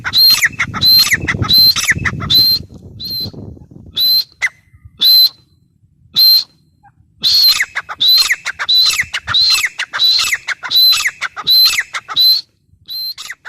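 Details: Grey francolin (teetar) giving a long run of loud, piercing whistled calls. Each call is a high note followed by a falling note, repeated quickly in bursts with a few brief pauses. Low background rumble fades after the first four seconds.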